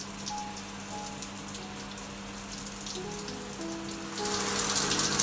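A steady spray of water like rain, growing louder near the end, with faint sustained musical tones underneath.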